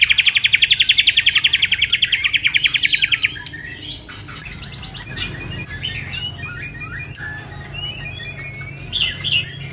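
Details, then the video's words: White-rumped shama, moulting, delivers its 'kéo thuốc lào' phrase: about three seconds of fast, evenly spaced buzzy pulses, then looser high whistles and chips, with two louder notes near the end. "Choè lửa đang xuống lông kéo thuốc Lào phê tít"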